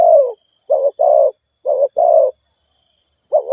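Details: Fast cooing of a spotted dove used to stimulate decoy birds: low, husky coos delivered in short-long pairs, a new phrase starting near the end.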